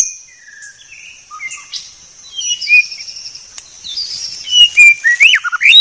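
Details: White-rumped shama song, clear: quiet high sustained note with scattered falling whistles, building to louder slurred upsweeping whistles near the end.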